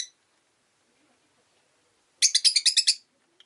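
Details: Rosy-faced lovebird kept as a pet giving a quick run of about seven shrill, buzzy chirps in under a second, after a long quiet pause.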